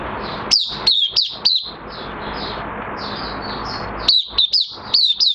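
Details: Singing Oriental white-eye in minor moult, recorded 3 June 2022: a few thin, high, slurred notes, a pause filled with faint background hiss and distant chirps, then another short string of quick notes.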